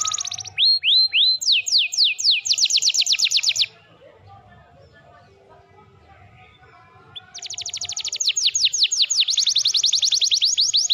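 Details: Canary in full song for a training recording: clipped, whistled upward notes give way to a fast, sharp trill, then a few seconds of near silence, then another long, rapid, high trill.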